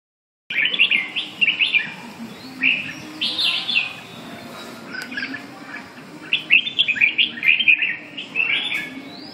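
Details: Red-whiskered bulbul singing bright, chirpy warbled phrases in quick bursts, with short pauses between groups of notes. A low, steady hum runs underneath throughout.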